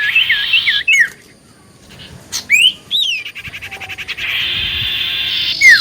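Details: Common iora in full song, played as a lure to make others answer: looping whistled notes, then separate upslurred whistles, and a rapid train of clicks before a final downslurred whistle.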